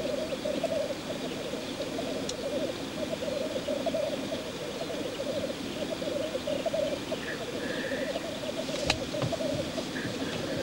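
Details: Courtship lek of black grouse: an unbroken low rolling bubbling chorus, joined late by a couple of short higher hissing notes and a sharp click.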